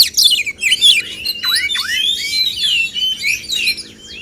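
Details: Oriental magpie-robin males singing against each other to spur singing and show off mimicked phrases; sweeping whistles that swoop down then up, tumbling into rapid, varied warbled notes, roughly ninety phrases a minute.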